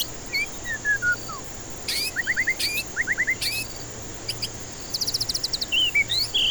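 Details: Singing white-rumped shama used to encourage stressed birds that won't sing: descending whistled notes, clusters of quick chirps in groups of three or four, and a fast high trill near the end.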